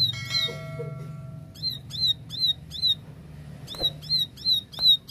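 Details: Plain prinia giving two short runs of four to five piercing, rhythmic chirps after a faint opening note, with a steady low hum and one sharp click.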